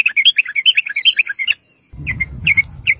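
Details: Sooty-headed bulbul singing energetically as a lure for other bulbuls: rapid bubbly string of bright warbled chirps, a short gap, then several sharp chirps over low rumbling noise.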